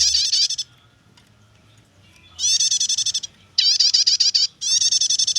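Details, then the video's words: Rapid high-pitched chattering from a prinia in 'nyetater' style, used as a lure or tutor for other birds: one short rattling burst, a pause of nearly two seconds, then three quick bursts in close succession. "suara prenjak nyetater"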